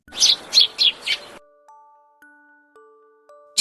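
Four harsh, buzzy sparrow chirps in quick succession, about three per second. Soft chiming musical tones follow.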